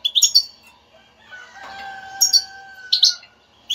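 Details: European goldfinch in batbata stimulating song: short high twittering chirps at the start and end, separated by a stretch of steady whistled tones.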